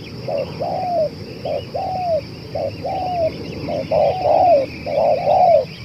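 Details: Long-calling spotted dove, offered as a decoy for luring others, gives a run of paired coos: a brief clipped note, then a drawn-out, gently descending coo, about once a second, over a constant high-pitched background hum.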